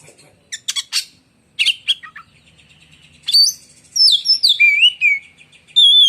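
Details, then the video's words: Oriental magpie-robin, a kept contest bird, singing a shrill, piercing, lightning-strike style song: scattered rasping chips, then loud whistled notes sliding up and down, ending in a long high sustained whistle. "si raja gantangan beraksi lagi dg suara menyambar"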